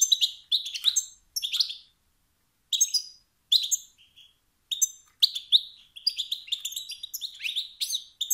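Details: Competitive twittering from a male European goldfinch, said to trigger rival males' singing instinct: sharp bright chirps in spaced clusters, building into a faster, continuous twitter toward the end.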